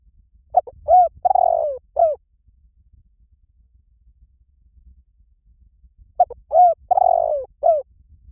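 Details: Lure recording of a spotted dove for training birds to answer: two loud cooing phrases, each of clipped coos building to a long falling rolled note and a closing coo, separated by several seconds of near silence.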